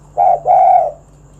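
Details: Spotted dove singing to draw other doves into song: a single phrase of a short coo then a longer, rolling, slightly falling coo, clear against a quiet background.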